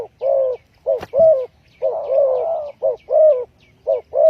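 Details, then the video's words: Spotted dove trapping lure: rapid low coos, short and long notes alternating, one long rough drawn-out coo in the middle, a sharp knock near the start and faint high chirps behind. "Chim cu gáy chiêu kích mồi tập bổi nhanh nổi hiệu quả"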